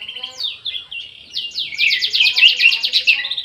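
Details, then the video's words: Orange-headed thrush kept in an aviary, singing: a few whistled phrases lead into a rapid, even series of bright repeated downstrokes, like a quick rattling trill, continuing to the end. "ANIS MERAH GACOR"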